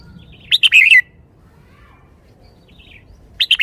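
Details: Red-whiskered bulbul kept in a cage, singing its 'shaking bottle' pattern: a loud phrase of chirps and rolling warble, faint softer notes in the gap, then the next phrase beginning near the end.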